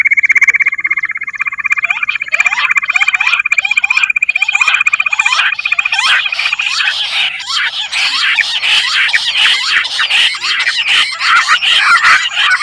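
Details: Bush quail lure recording: a steady, rapidly pulsed trill is followed, about halfway through, by a dense, overlapping chorus of short, sharp whistled notes.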